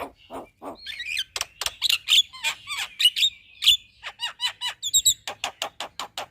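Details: Javan myna chatter used as a master recording for training birds: a busy sequence of clicks, buzzy notes and short whistled phrases, then a run of evenly spaced sharp chip notes at the end.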